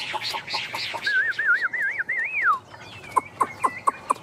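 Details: Hand-tame Chinese hwamei giving a short song fragment: a rising and falling wavy whistle lasting about a second and a half, followed by five evenly spaced sharp clicks, with faint chirps before.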